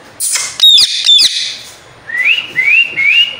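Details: Pet Indian ringneck parakeet makes two sharp, high squeaky notes, then three rising whistled slurs spaced about half a second apart, in a quiet room.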